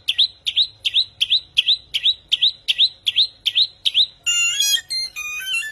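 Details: Unidentified bird with an eerie song: a crisp rising whistle repeated evenly about every third of a second, then switching to a harsh, buzzy, nasal trilled phrase.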